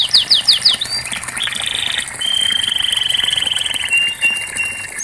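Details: Canary song for getting silent birds to sing: four quick falling slurs, a short buzzy trill, then a long, very fast rattling trill and a fading whistle.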